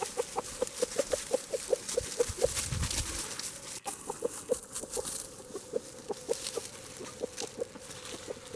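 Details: French Black Copper Marans rooster calling hens to food (thrown-out pumpkin insides) gives a rapid run of low, clipped clucks, about three per second, pausing briefly midway before resuming more slowly.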